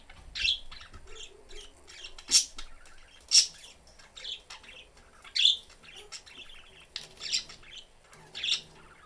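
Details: Pet budgerigars, a father, mother and young kept together in a cage with its door open, chattering: bubbly high warbled notes broken by loud, sharp chirps roughly every one to two seconds.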